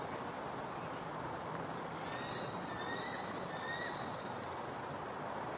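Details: A female eagle perched above her riverside nest on a Sunday morning in March 2026 gives thin, high, increasingly urgent whistled calls over steady wind noise, calling for her mate to bring food.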